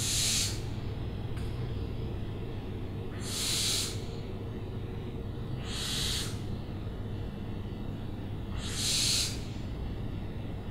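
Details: Series of four to five rasping hissed screeches from an owl, spaced about two and a half to three seconds apart over a steady low hum.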